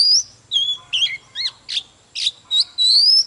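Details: Morning song of an excited mature Oriental magpie-robin taken from the wild, displaying as it sings: bright whistles alternating with harsher buzzy notes, closing with a drawn-out rising whistle; faint hum behind.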